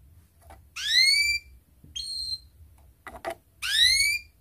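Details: Atlantic canary phrases from a lure track used to get canaries singing. Separate bright, downward-sweeping whistled notes in short bursts, with soft clicks and knocks between them.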